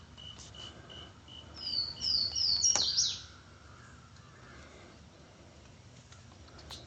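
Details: Swainson's Warbler in swampy mixed woods of the East Texas piney woods gives a brief, loud, explosive burst of clear slurred whistles falling at the end, after soft high ticking notes, over quiet background hiss.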